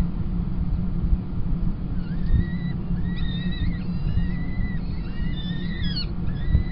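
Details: Peregrine falcon chicks at a nest at Kingston College on 28 April 2021, fed by the adults as the female takes over from the male tiercel. Thin whistled cries with gliding, bending pitch come in a loose cluster over a constant deep rumble.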